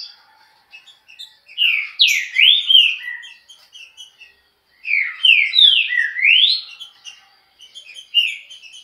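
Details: Rapid Chucrinho-style trinca-ferro song, two loud bursts of swooping whistled notes separated by brief quiet and faint twittering.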